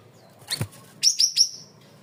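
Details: Cream-vented bulbul singing loudly and clearly in a masteran recording used to train birds: three sharp, high, downslurred whistled notes in quick succession, preceded by a fainter chirp, with a quiet background.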